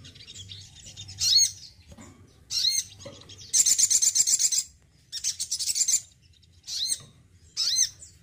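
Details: A male crimson sunbird (Aethopyga siparaja) in care sings short, very high, thin bursts of chirps and rapid trills, with one longer buzzy trill, repeated every second or two.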